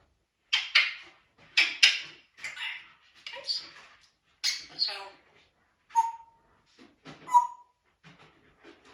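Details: Squeaky chatter from a pet African grey parrot in the house: harsh rasping bursts mixed with a few short pure whistles, delivered in uneven clusters with quiet gaps.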